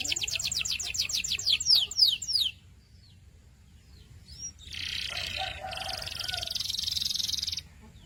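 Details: Canary song opening with a bright trill of rapid, descending whistled notes that slow toward the end, a pause with scattered soft chips, then sustained buzzy high rolls lasting several seconds; low background hum.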